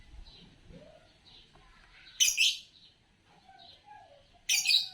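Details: Green Fischer's lovebird chirping: two loud, harsh, shrill chirps about two seconds apart, with soft high twitters and faint whistles in between.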